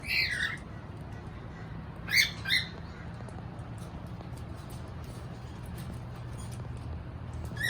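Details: Pet cockatiels enjoying a free moment during feeding; a few short, shrill chirps come at the start and again around two seconds in, standing out over a steady low hum.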